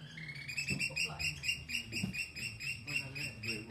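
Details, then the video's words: Noisy oystercatcher racket: dense, continuous shrill piping calls, high and sharp, tumbling over one another without pause, with a low rumble beneath. "What noise does an Oystercatcher make?"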